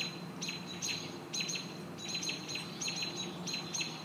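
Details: High, clipped chirps from American robins guarding their nest from a hawk, about two per second in a brisk, uneven series over a low background hum.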